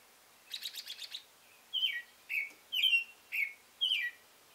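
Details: Male American robin singing: a quick series of five short buzzy notes, then five separate warbled caroling phrases, each a bright slurred whistle dropping in pitch, spaced about half a second apart, quiet background.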